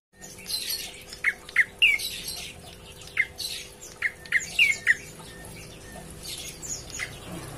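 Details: Prinia, a lively calling bird calling to its companions: short sharp chirps and small downward-curving notes repeated at irregular intervals, some in quick pairs, with a steady low hum underneath.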